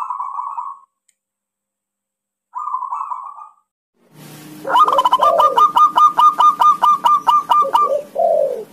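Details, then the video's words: Local zebra dove giving two short purring coos separated by silence, followed by a loud series of sharp, clipped coo notes over a low background hum and soft deeper sounds. "SUARA PERKUTUT LOKAL"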